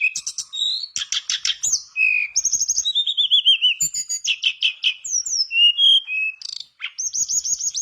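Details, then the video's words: Lively mangrove blue flycatcher song meant to prompt other birds to join in, mixing staccato trilled bursts, smooth falling whistles and a fast high warbling rattle at the close. "Pancingan burung tledekan bakau gacor biar sikatan bakau macet ikutan gacor"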